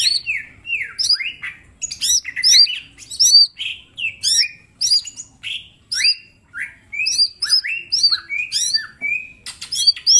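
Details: Green leafbird, mini type, singing eagerly as a master for training other birds: a fast, varied stream of swooping whistles, sharp upslurred chips and short trills, almost without pause.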